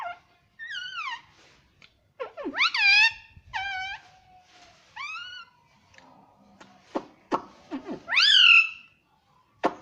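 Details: Pet talking parrot said to say "mummy": a run of clear, ringing calls with many overtones, some falling and some rising then falling, separated by short pauses and a few sharp clicks.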